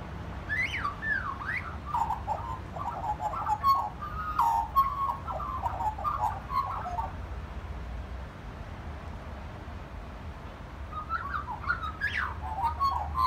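A magpie sings a run of mellow, flute-like warbled notes in the first five seconds, then a shorter burst near the end, over a steady low rumble.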